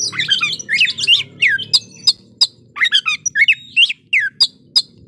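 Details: White-rumped shama singing to rouse aggression in rival birds: dense bursts of rich whistles, slurred sweeps and clicking notes, then spaced sharp phrases repeated about three times a second, steady low background hum.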